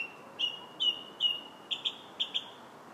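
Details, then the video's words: Song thrush singing on July 8th: a drawn-out whistle runs into short, bright whistled notes, each given twice or three times in quick succession over a quiet background. "Song Thrush's Song July 8th"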